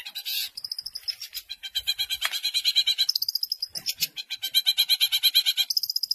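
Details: Captive Long-tailed shrike from hobbyists' birds, 2020 contest material imitating other songbirds: a loud opening burst, then a fast, steady rattle of bright high notes repeated about three per second, ending on a higher trill.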